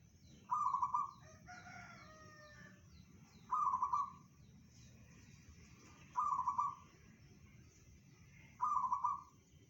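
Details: Four evenly spaced, bubbling pulsed coos from a local zebra dove singing bedah karang style, which is said to reach 500 meters, repeated every two and a half to three seconds. A harsh layered call from another bird comes after the first coo.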